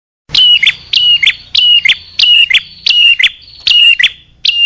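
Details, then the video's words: Bar-winged prinia, male and female, recorded as a lure for small birds; loud, sharp chirped phrases, each a high note dropping to a shorter whistled tail, repeated about eight times at a quick, slightly uneven pace over a quiet background. "Suara pikat burung kecil paling ampuh | Anti Gagal Khusus Prenjak Atas Betina Jantan"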